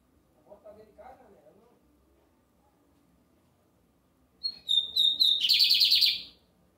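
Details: Lined seedeater singing heavily on a Sunday. After some faint low murmuring, the bird gives a high note, several steady whistles and then a quick buzzy trill of repeated pulses.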